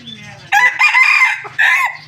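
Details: A captive red junglefowl kept for breeding gives a loud, brassy, rolling crow in two bursts: a long rolling phrase, then a short clipped tail, over a faint low background murmur.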